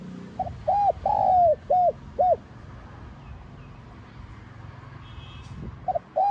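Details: Spotted dove in 'giọng son' voice, gáy gọi - thúc style: a quick series of five coos, the second long and arched, then a low rumbling pause before two more coos start the next phrase.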